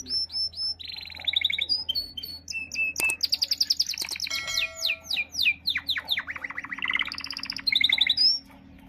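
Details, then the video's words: A caged white-and-black canary sings to an uncaged white canary, a fast, bright, powerful song of rapid trills, rolling notes and sharp high whistles, changing phrase every second or so, with a faint low hum beneath. "canary most powerful crazy singing"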